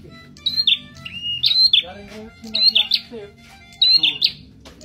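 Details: Caged Red-headed prinia, kept for three months, in full song: short phrases of high chirps with quick downward slurs, repeated about once a second, over a quiet murmur of people talking.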